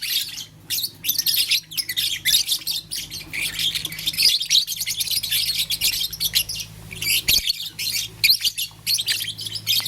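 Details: Blue, lutino and green lovebirds, kept as pets, playing with a flower in the morning; dense, harsh high chirps and squeaky twitters pour out almost without pause, with a faint low hum underneath.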